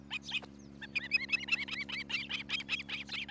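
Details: Osprey nest camera in Charlo, Montana, early morning, July 2018: a busy jumble of high, curling whistled chirps, several overlapping, over a steady low electrical hum.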